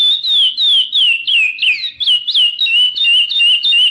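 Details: Chestnut-bellied seed finch singing free in the wild: clear whistled notes near one pitch, bending down and rising, given about three per second in a steady run with faint high overtones.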